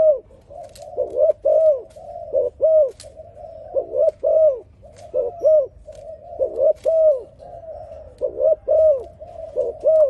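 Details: Dove singing a continuous series of low, hollow coos, arched notes grouped in pairs and triplets, repeated rhythmically, with a few faint clicks in the background.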